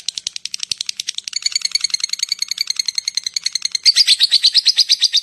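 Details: Lovebird giving the long ngekek chatter, used to lure other lovebirds: a loud, rapid train of sharp, harsh chirps that keeps going without a break and grows louder and denser near the end.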